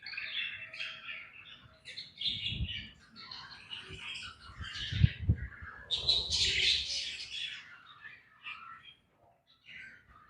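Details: Budgie chicks in a breeding colony setup chirp almost without pause, a dense, buzzy, scratchy chatter of overlapping squeaks that swells louder partway through, with faint thumps and cage rustling below.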